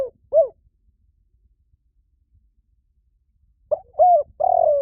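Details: Spotted dove lure call: one low, hollow coo, a silence of about three seconds, then three soft coos in quick succession, the last drawn out and throaty; nothing else heard.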